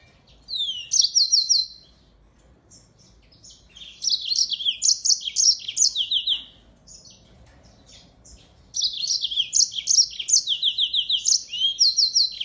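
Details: Mozambique finch, a singing finch also called African canary, singing as a model song for training songbirds: bursts of fast, high, bright trills and descending chirped phrases, separated by short pauses.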